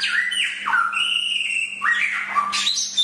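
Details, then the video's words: Chinese hwamei singing for a training master: clear, drawn-out whistled notes stepping between pitches, including a long level whistle and downward slurs, then a rising final phrase, over a faint hum. "Masteran Suara Samyong"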